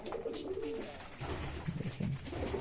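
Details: Soft cooing from pigeons in their house: a brief higher throaty note early on, then deeper rolling grumbles near the end, amid light shuffling.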